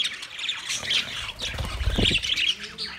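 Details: Caged budgerigars, 9 March 2024, filling a big aviary cage with overlapping chirps and short squawks; bright warbled notes come in bursts, with low rustling or wing flutter beneath.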